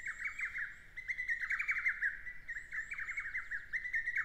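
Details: Lesser cuckoo (Cuculus poliocephalus) singing in the Shinetsu countryside, Japan, in early June: loud, quick bursts of sharp, emphatic notes in short repeated phrases, with fainter high chirps from other birds behind.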